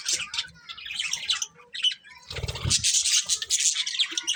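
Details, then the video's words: Colourful budgies chirping: high chatter and squeaks, interrupted midway by a louder low rustle or bump, then a dense burst of high twittering. "Colourful Budgies Chirping Sounds"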